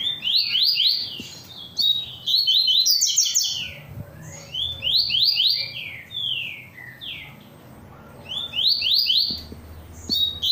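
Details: Caged double-collared seedeater singing persistently in the tui tui song style. Quick high whistled notes sweep up and down in rapid bursts, grouped into phrases separated by short pauses, with faint low background noise.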